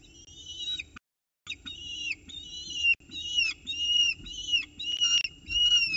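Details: Morning feed on 29 October 2018 in a peregrine falcon nest box at Orange, chicks competing for prey; insistent whistled wails that rise then drop, repeated close together, with a short pause and soft clicking.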